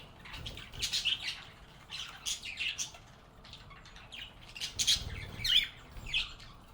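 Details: Happy budgies singing, chirping and chatting with one another in a calm setting; bursts of high, scratchy chirps and warbles come in clusters, with brief quieter gaps between them.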